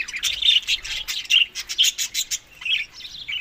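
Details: Budgerigars eating during summer months May to June, Larkana, Sindh, calling in a rapid series of high chirps that trail off into softer, scattered twitters.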